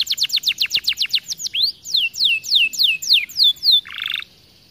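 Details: Canary singing to provoke other canaries into song: a rapid series of high, descending sweeps, first fast and evenly repeated, then slower, longer slurred notes, ending in a brief lower buzzy trill.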